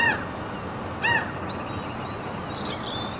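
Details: Gull calls at a fjord in Norway's mountains: two short harsh nasal calls early on, followed by faint thin high whistles from other birds against steady ambient noise.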